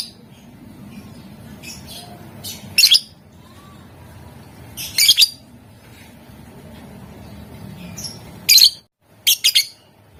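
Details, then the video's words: Lovebird sounds used to provoke rivals into replying, scattered sharp shrill squawks and chirps in short clusters, some quick doubled bursts near the end, over a steady low hum. "Suara Lovebird Gacor Memancing Emosi Lawan, Bikin Lawan Langsung Nyaut"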